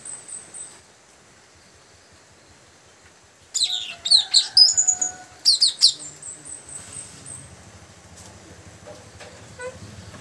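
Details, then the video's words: Young Asian glossy starling calling companions, a burst of high sharp chirps and metallic squeaks lasting about two seconds midway, with a faint steady whistle tone, followed by low rustling and soft background noise. "suara pikat puling muda gacor manggil kawan"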